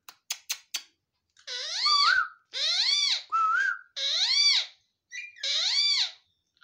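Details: Rose-ringed parakeet (Psittacula krameri), talking.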